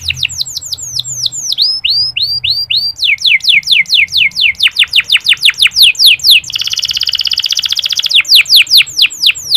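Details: A local canary sings without pause, a recording used as a lure to stir less eager male canaries to sing: rolling runs of quick, high down-slurred whistles shift pace and pitch, broken by a dry buzzy trill near the end.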